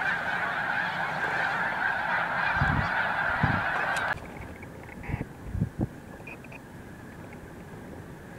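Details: Massed snow geese taking off together at Montezuma, New York, in March; a thick din of overlapping honks that stops abruptly midway, leaving scattered faint calls and low wingbeat-like thumps.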